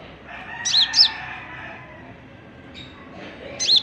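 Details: Oriental magpie-robin opening its song with a quick pair of high, arched whistles, then a pause and another whistle near the end over low steady background noise.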